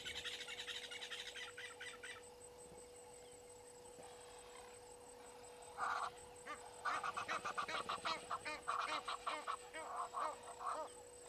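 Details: Natal spurfowl at Gowrie dam waterhole, Djuma Game Reserve, Sabi Sand, South Africa, 18:08 on 12/04/21. After quieter high twittering, loud harsh cackling bursts start at six seconds and run in rapid, uneven rattling series to the end.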